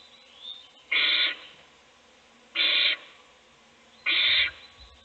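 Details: Owl feeding a single chick in a nest box while the others sleep; three evenly spaced, harsh breathy hisses about a second and a half apart over low background hum.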